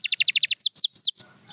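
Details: Singing canary, recorded as training material: a fast run of about seven bright, pulsing notes, followed by three longer downward-sliding whistles, then near silence.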